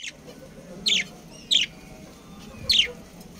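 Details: Budgerigar breeding pair kept as pets: four short sharp high chirps spaced unevenly over about three seconds, over a steady low room rumble.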